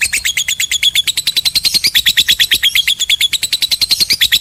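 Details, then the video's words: Long ngekek song of a lovebird, a lively chatter used to stir silent birds: rapid, evenly spaced scratchy high notes repeated about eight per second without pause for over four seconds. "SUARA BURUNG LOVEBIRD || MEMANCING BURUNG PENDIAM JADI EMOSI IKUT BUNYI GACOR NGEKEK PANJANG"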